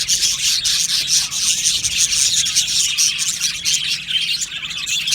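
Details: Budgie aviary with a loud, dense chorus of chirping and raspy warbling, many birds calling over one another in a bright, hissing wall of sound.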